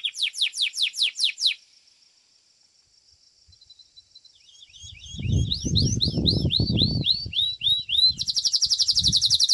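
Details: Domestic Belgian canary singing at a 7th-edition song competition: fast repeated downslurred notes, a sustained thin trill, then rising looping swoops repeated about three a second, ending in a dense buzzing roll, with low handling or background rumble midway.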